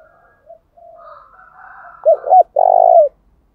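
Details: Spotted dove decoy bird cooing to stir wild doves into answering, switching song patterns continuously: soft low murmuring coos, then two quick clipped notes and a loud drawn-out coo that dips at the end.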